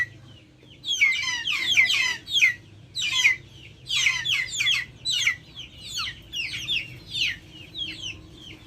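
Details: Backyard chickens: a busy stretch of overlapping shrill, falling calls that starts after a second of quiet and fades toward the end.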